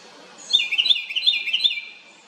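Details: Loud House wren noise made of a rapid bubbly burst of high chattering notes that lasts about a second and a half, against quiet background hiss.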